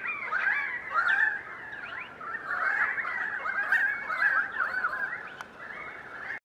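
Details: A winter flock of perhaps 100 currawongs passing through Donvale for a couple of days, calling to each other: overlapping ringing, whistled and wailing notes, many rising or falling, in a continuous mid-pitched chorus; currawong.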